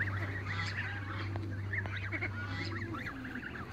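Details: Several young Toulouse geese running in a backyard call over and over. The notes are nasal and rise then fall, coming in quick overlapping series above a constant low mechanical hum.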